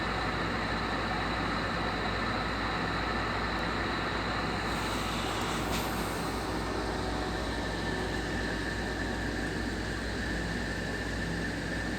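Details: Steady broadband rumble of a passing train or other vehicle, with no animal voice audible.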